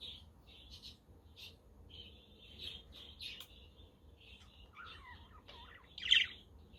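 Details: Budgies twitter on a sunny, windy day, with a pet Quaker parrot and a conure in the background: scratchy warbling chirps, a few falling whistled notes, then one sharp loud squawk near the end.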